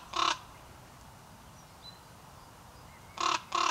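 A raven gives three harsh, hoarse caws: one, then a pause of about three seconds, then two quick ones close together, over a quiet background.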